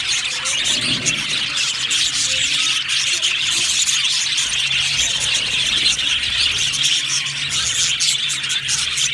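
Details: Aviary budgie colony, a thick constant layer of high-pitched chirping and fizzy warbling from many birds, with a brief lower squeal near the start and a faint hum throughout.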